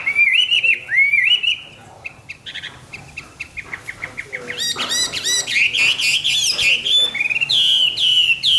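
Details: Rich morning song of a hwamei: looping whistled phrases, then a run of quick staccato notes, building into loud, dense, tumbling warbled passages.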